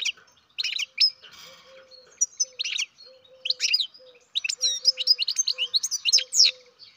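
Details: A captive-bred baby European goldfinch gives bursts of high, twittering chirps in short clusters with brief pauses. Faint, steady low tones run beneath.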